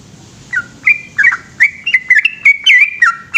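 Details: Yellow-vented bulbul at night beginning its long song, scattered whistled notes soon building into a quicker bubbling run of rising and falling slurs.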